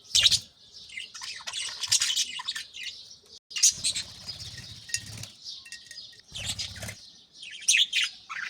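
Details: Budgerigars kept in an aviary at dawn, adults active while young are fed in clay nest pots; high chirps and warbling chatter mixed with fluttering wingbeats and soft thumps.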